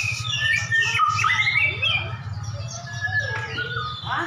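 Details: Two champion white-rumped shamas brought face to face to duel: dense, overlapping whistles, slurred notes and harsh bursts pour out together, with a low steady hum beneath.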